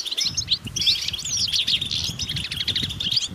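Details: Wild European goldfinches twittering en masse, their mating calls used to stimulate silent males. Fluid, swooping chirps and tinkling trills crowd together over a low background rumble.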